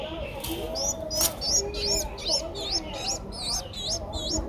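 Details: Ten-day-old Streak-eared Bulbul nestling in Ubon Ratchathani, Thailand, 12 April 2023: a rapid run of thin, high, rising-then-falling squeaky notes, about three per second, over a low background rumble.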